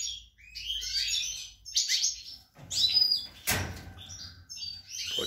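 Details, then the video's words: European goldfinch kept for breeding, spring 2020: jumbled high twitters and buzzy notes in quick phrases, interrupted by a sharp knock and low rumbling noise. "Chardonneret, El jilguero, bird, cardellino pezzato GOLDFINCH SONG"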